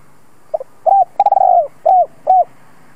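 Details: Spotted dove, a decoy bird calling to lure wild doves, gives one cooing phrase: a short double note, then low mellow coos with a rapid stuttered roll, ending in two rounded coos.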